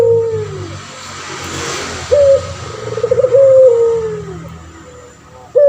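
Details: Tutor male puter pelung turtle dove, prized for its long voice. Coos of a sharp upward note, a stuttering roll and a long sinking note, spaced by quieter pauses, with one more coo beginning at the very end.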